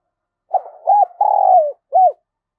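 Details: Decoy spotted dove, kept to call in and train wild doves, cooing: a soft hollow phrase of a short note, an arched note, a long slightly falling coo and a final arched note, with no background sound.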